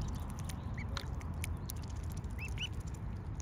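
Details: Young mute swans, cygnets, heard in a few brief, high, upslurred-then-falling peeps, one alone and a close pair near the end, over constant low-pitched background rumble.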